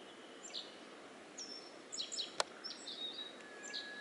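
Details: Black-faced bunting singing at ease: a run of short, high, whistled notes and a few drawn-out tones, with one sharp click midway and steady background hiss.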